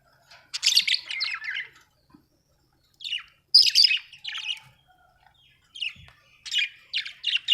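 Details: Happy budgerigar from Australia chirping in separate bursts: a scratchy warble, a loud squawky phrase after a silent gap, then quick repeated chirps at the end.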